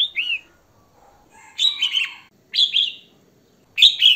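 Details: Singing female red-whiskered bulbul, meant to excite males: one arched whistle followed by three harsher, buzzy double phrases spaced about a second apart.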